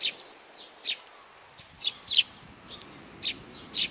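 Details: Young sparrow calling with sparse high chirps, a tight cluster near the middle, then single notes spaced about a second apart, over quiet hiss.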